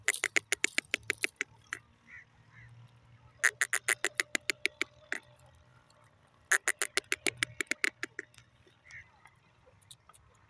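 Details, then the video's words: Grey francolin, or teetar, calling in harsh, rapid bursts of clicking notes, each series speeding up and then breaking off, repeated three times with softer notes and a low hum between. "teetar awaz,teetar voice,grey francolin bird"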